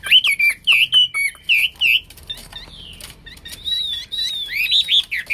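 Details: Hwamei, known locally as wambi, singing loudly: bursts of rich looping whistled phrases in quick succession, a quieter scratchy twittering passage midway, then further swooping whistles at the end.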